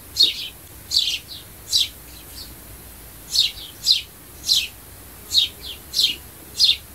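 Sparrow chirps: short, bright notes repeated roughly every half second to second, often in doubled pairs, over a faint low hum.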